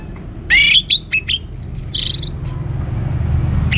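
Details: Lively orange-headed thrush song aimed at getting other birds to sing: a loud burst of sharp, rising squeaky whistles and a harsh chattering phrase, then quieter, over a faint low hum.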